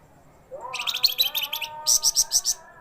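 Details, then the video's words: A flamboyan bird, said to sing tirelessly day and night, starts with a rising whistle, then delivers a chattering string of high chirps and a slower run of five bright notes, over a low humming tone. "FLAMBOYAN burung flamboyan, wergan jawa gacos siang malam."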